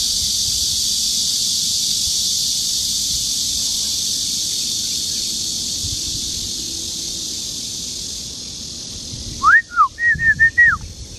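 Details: Male white-rumped shama singing at Luodishan Nature Park, Mituo, Kaohsiung, Taiwan, 13 June 2018, 12:20, recorded on a Canon PowerShot camera. Loud insect drone throughout, then a brief burst of clear, sliding, rising and falling whistles near the end.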